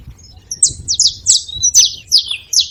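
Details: Saffron finches calling as a group: bright, high, buzzy chirps given in short spaced bursts, some notes slurring downward, a faint low rumble behind.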